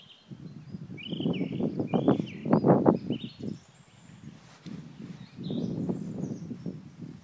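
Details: Black grouse recorded in the eastern Ore Mountains, 2 April 2016, giving deep, throaty bubbling bursts that swell and fade in two main runs, while small birds twitter high in the background.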